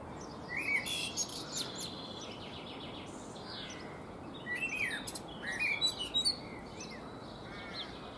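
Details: Eurasian blackbird singing from a fruit tree between bouts of preening: two short phrases of mellow warbles that break into high, squeaky twitters, with a steady background hiss between them.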